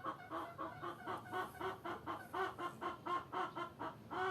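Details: Chickens keep up a rhythmic, throaty clucking, each note short and buzzy, evenly spaced at just over two a second, with a faint constant background.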